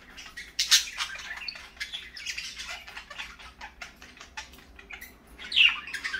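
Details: Morning parakeets chattering in scattered short chirps, broken by two loud rasping squawks, one early and one near the end.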